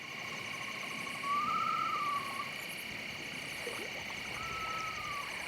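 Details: Eastern Screech-Owl across the Niobrara River, Nebraska Sand Hills, on a warm, still, humid late-September night near full moon, gives two level, mellow trills, each about a second long, a few seconds apart, over a steady high hum of crickets and other night insects.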